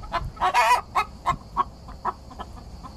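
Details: Singing Araucana hen while drinking, exciting the roosters next door: brief clucks lead into a loud harsh squawk, then a series of clipped nasal clucks at irregular intervals.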